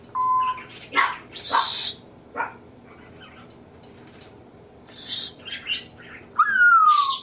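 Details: Pet African grey parrot, male, reproducing sneezes, laughs, burps and words: a flat whistle, noisy gusts and clicks, then a long descending whistled squeal.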